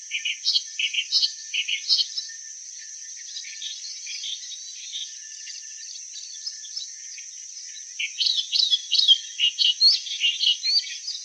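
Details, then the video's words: Clamorous reed warbler: two bouts of harsh, chattering song notes, one in the first three seconds and a livelier, denser one from eight seconds on, separated by near-silence apart from steady high hiss. "Sound of Clamorous Reed Warbler"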